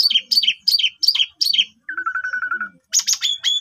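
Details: Asian pied starling song used as a lure to stir other birds into singing, a long-phrased style; repeated falling whistled chirps, then a steady buzzy trill, then harsh high chattering notes.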